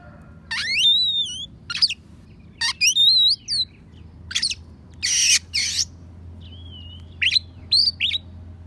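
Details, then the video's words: Oriental magpie-robin with a mimicry-rich song of sparrow and prinia phrases, played to teach other songbirds; bright wavering whistles and chirps run in quick succession, broken by harsh buzzy bursts, with a low hum beneath. "Kacer Isian Gereja,prenjak pass untuk masteran"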